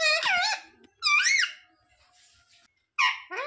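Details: Pet parrot, a talking mitthu, mimicking words such as "mummy papa": three squeaky, high, nasal bursts of imitated speech with gliding pitch, separated by short pauses in a quiet indoor room.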